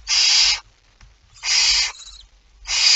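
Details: Barn owl feeding at its nest before dawn on 19 September 2019: drawn-out, rough hisses, three bursts in three seconds, with a faint thin whistle after the second.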